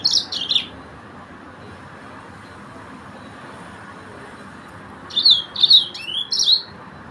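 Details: Yellow-fronted canary singing: a short burst of high, sweet twittering notes at the start, silence, then a second run of quick chirps and slurred whistles near the end, over a steady background hiss.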